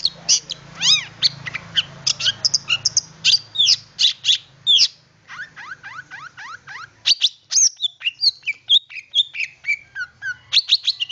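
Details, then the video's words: Long-tailed shrike singing as a lure for other shrikes: arched whistled notes and sharp chips, then a repeated series of downward-slurred whistles, followed by mixed chattering notes, with a low rumble early on. "Pancingan Cendet Terbaru 2020 Gacor Dor Bakal Nyaut"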